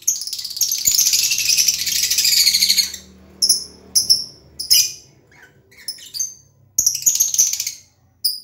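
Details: Lovebird opening with a long, dense, rasping high chatter, then breaking into short piercing chirps spaced irregularly.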